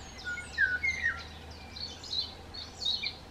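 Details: Common redstart song: a clear whistled opening note followed by a fast jumble of high scratchy twitters, soft background hiss.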